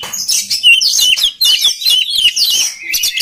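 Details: Kept as a training voice for other magpie-robins, this oriental magpie-robin pours out a dense, continuous song of sweet whistles mixed with rasping, chattering notes, hardly pausing.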